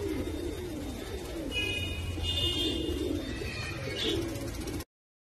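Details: Fantail pigeon giving low, rolling coos over a steady hum, with a few higher chirps and metallic rattles in the background before it cuts off abruptly.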